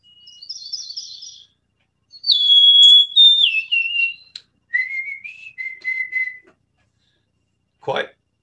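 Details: A Golden-crowned Sparrow in the Salt Spring Island regional dialect, which differs from Rockies birds, sings a few clear, plaintive whistles stepping down in pitch, ending with a brief thump.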